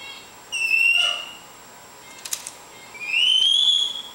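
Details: Captive lorikeet playing clumsily on a coffee table in a home: a level high whistle, a pause with faint taps, then a longer whistle sliding gently upward, indoor room tone.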